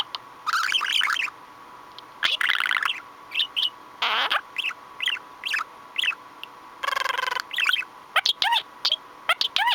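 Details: Male pet budgerigar, a speech mimic, delivers a busy run of warbles, chirps and quick buzzy trills, with rising and falling whistled notes repeated every half second or so near the end.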